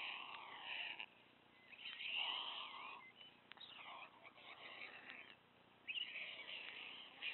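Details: White stork youngster at Wilsum, very hungry, pulling food from its parents' beaks; repeated nasal, wavering begging wails in several bursts, the strongest near two seconds, with scraping noises between.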